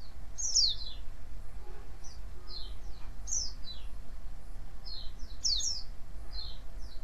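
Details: Chirping white-eye used to provoke other white-eyes to answer: bright, quickly descending high notes in irregular clusters, with a stronger doubled chirp roughly every two and a half seconds, over faint low hum.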